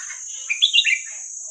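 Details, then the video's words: Red-whiskered bulbul singing the hua krok khayao khuat song style, played to teach young birds: one quick phrase of four or five bright, bubbly whistled notes, rising then dropping, over a steady high-pitched hiss. "เสียงนกกรงหัวจุกเพลงหัวครกเขย่าขวด เปิดสอนลูกนก"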